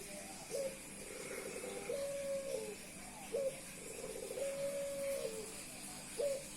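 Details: A male Puter Pelung dove coos without pause after meeting a female, displaying his charm. Soft rolling notes lead into a sharp upward flick and a long level tone that drops at the end, repeated about three times against background hiss.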